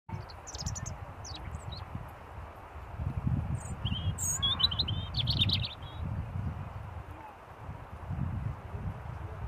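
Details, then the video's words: A robin sings short, high, thin phrases of quick warbling notes, with a brighter flurry midway, over a steady low rumble of wind or distant traffic. "Big song from a little bird. Robin had alot to say!"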